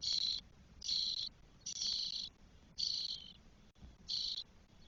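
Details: Spotless starling nestlings, four birds aged 12 days, begging in their nest in Spain on 1 June 2022, with loud harsh raspy bursts repeated roughly once a second.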